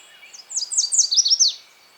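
A Yellow Warbler sings a quick, high, sweet phrase of about eight bright downslurred notes, accelerating slightly over one second, against faint background hiss.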